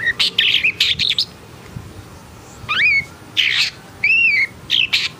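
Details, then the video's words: Long-tailed shrike, described as agitated, alternating loud grating rasps with clear looping whistles that rise and then fall, with a short pause near the middle. "KICAUAN BURUNG PENTET HITAM PUTIH & EMOSI"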